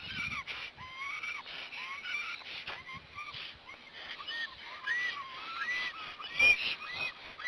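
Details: Black storks in Hungary at their nest the afternoon the first chick hatched, in late April: a series of rising-falling whistled, slightly nasal calls, some overlapping, with intermittent low knocks and rustling.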